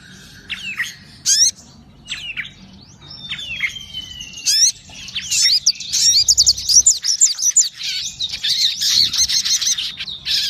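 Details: Sogon song that opens with spaced, sharp downward chip notes and a long gliding whistle, then builds into a fast, continuous run of high warbled chatter.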